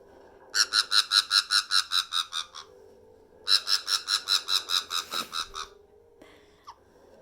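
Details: A 4-year-old female pet black-headed caique gives two bouts of rapid, harsh ha-ha-ha laughter, about a dozen notes each at some seven per second, then a brief squeak.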